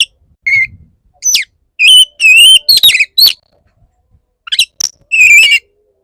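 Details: Male Oriental magpie-robin serenading an agitated female with strong whistled phrases, quavering slurs, sharp rising sweeps and a closing warbled flourish, all in quick bursts.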